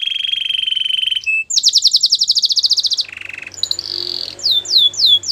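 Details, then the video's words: Belgian canary training song: a rolling trill, a short pause, a fast high buzzy trill, lower rolling phrase, then a few bright downward-swept whistles. "The most popular canary training!! Your belgian canary will sing a lot"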